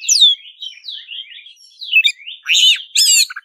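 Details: Black-breasted Oriental magpie-robin singing fiercely in fighting mode: a flowing string of slurred, warbling whistles that rise and fall, then harsher rattling chirps and a few short clipped notes near the end.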